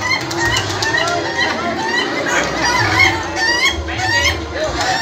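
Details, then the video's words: Laughing chicken roosters at a contest final in Indonesia, several birds crowing in overlapping bursts of rapid, stuttering, laugh-like notes, with crowd chatter and low rumbling noise throughout. "Kontes ayam ketawa final ak remaja"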